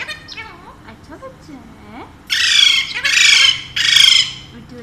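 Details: Pet Alexandrine parakeet, one of two kept at home and said to talk in Urdu and Hindi: faint wavering chatter, then three loud harsh squawks about half a second apart, with a person coaxing in Hindi/Urdu nearby.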